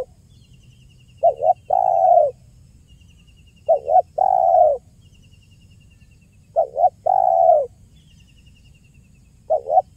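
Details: A spotted dove repeats its 'kuk 1' phrase, used as a trapping lure, four times in ten seconds: a double coo and then a long coo each time, with soft high ticking between phrases.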